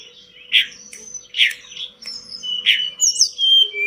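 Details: Pied bush chat in full, lively song, used as tutor material for pet birds: sharp chip notes about once a second, separated by thin high whistles and falling slurred notes.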